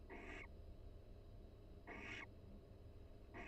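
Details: Soft nest-box calls from a barn owl pair at the University of Florida, exchanged during mutual preening in the breeding season. Hoarse, wheezy bursts repeat roughly every one and a half seconds over low hum.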